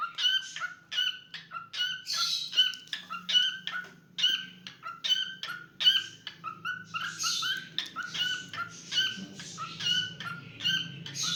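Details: Cockatiel, a household pet, singing steadily: dozens of crisp harmonic chirps in quick succession, interrupted by a cluster of harsher buzzy notes midway, over a low background rumble.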